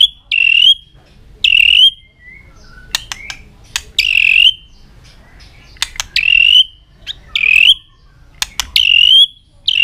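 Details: Shama singing hard in fighting form, tail flicking nonstop: bold ringing whistles that bend upward and settle, delivered in bursts about every one to two seconds, broken by crisp clicks and a couple of short, low sliding notes.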